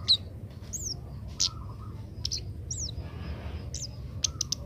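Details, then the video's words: Young Oriental magpie-robin learning to sing, being trained to sing sooner: scattered high whistled slurs, some rising and falling, spaced irregularly over a steady low hum. "burung kemade muda belajar bunyi"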